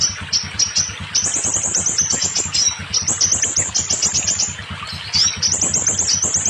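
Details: Recording of scarlet minivet song for encouraging new, non-singing or molting captive birds to sing: fast strings of high, piercing chirps and quick up-slurred notes, nearly unbroken, with a low rumbling hum in the background.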